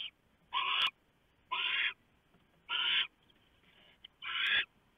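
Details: Barn owl nest at night, November 3, 2015: the male arrives with an oversized mouse, which the female shreds for the owlets. Four loud, even screechy hisses come about one per second, with a few sharp clicks.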